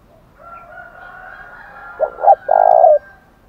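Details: A rooster's drawn-out crow fades as a spotted dove delivers one thổ đồng challenge phrase to provoke a fight: two short coos and a long, strong final coo.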